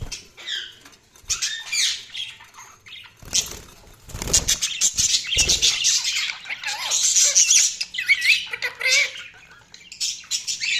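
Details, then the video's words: Budgerigars chirping, a busy stream of high, scratchy warbles, squeaky twitters and rapid chattering notes, with bursts of wing flapping and rustling thuds between phrases. "Budgies Sounds| Budgies Chirping sound"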